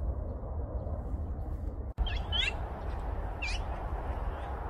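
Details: Flock of azure-winged magpies (Cyanopica cyanus) noisily calling, a few harsh, rasping calls sliding up and down in two brief bursts over a steady low rumble of wind or traffic.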